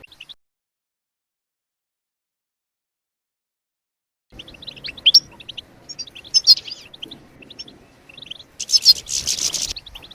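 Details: European goldfinch singing bebtebat phrases to prompt other birds to sing. About four seconds of near silence give way to lively twittering and a harsh rasping burst near the end, over a low background rumble.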